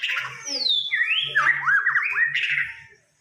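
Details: Fighter white-rumped shama from Samarinda: long swooping whistles that glide down, then a rapid zigzag of slurred notes rising and falling, over a steady low hum.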